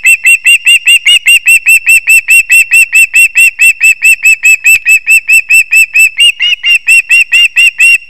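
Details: Osprey at a nest with chicks in a leaning old pine in Kurzeme, Latvia, 20 September 2024, as the father brings fish: a long, steady run of sharp, high chirps, about two each second, with a brief wing-flap sound.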